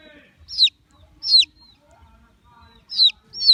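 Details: Baby chicks giving loud high descending peeps, four spaced calls in pairs with soft faint cheeps and light shuffling in the background.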